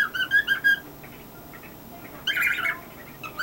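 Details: A male pet cockatiel performs a funny chirp routine indoors: quick bright chirps in a rapid burst, a short pause, then a louder, rougher cluster of squawky chirps.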